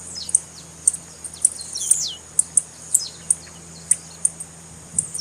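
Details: Calling female Blue-black grassquit, known locally as tiziu, used by breeders to stimulate and warm up males for tournaments. Sharp high chips sound roughly every half second, with a few falling whistled slurs between them and a faint low hum beneath.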